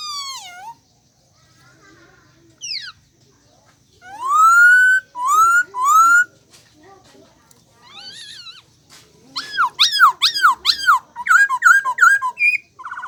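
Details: Bird calling with varied whistled notes: short downslurred whistles, then longer rising-and-falling whistles in a rhythmic series, ending in a burst of rapid, harmonically rich chirping notes, with quiet gaps between phrases.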